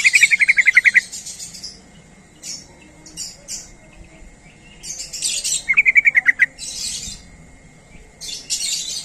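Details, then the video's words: Sooty-headed bulbul lure call aimed at making other bulbuls reply: two quick chattering runs of about eight crisp, slightly falling notes, interspersed with loud hissing rustle bursts. "Trucuk Apapun Pasti Langsung Nyaut Dengar Suara Panggilan Trucuk Gacor ini"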